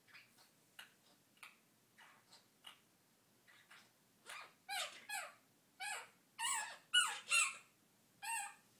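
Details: Pet Monk parakeet (Quaker parrot, Myiopsitta monachus) gives a run of harsh, raspy squawks that grow louder and quicker.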